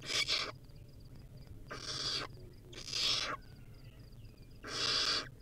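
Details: Wild barn owl owlet feeding on a rodent, filmed by a live camera: four breathy, rasping hisses spaced unevenly, with soft high pips between them.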